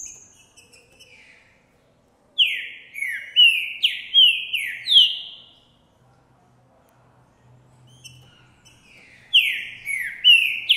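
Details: Green-winged saltator of the Trinca Ferro Boi kind, recorded January 2024, singing loudly and displaying after spotting a female; two phrases of five or six rich, falling whistled notes separated by about four seconds of near quiet with a low hum.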